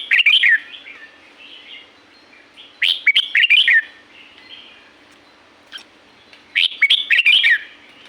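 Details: Red-whiskered bulbul in Pa La-u forest, Thailand, repeating cheerful warbled phrases of fast, slurred whistles roughly every three to four seconds, softer murmuring notes filling the gaps.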